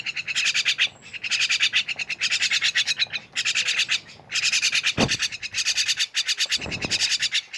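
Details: Myna birds, called jalak, calling together in a lively group: harsh, buzzy chattering in rapid pulsed bursts, each about a second long, repeating with short gaps.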